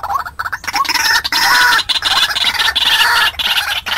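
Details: White-breasted waterhen call played as a lure to draw in wild birds: harsh, nasal notes with rich overtones, given in quick rhythmic bursts separated by brief pauses.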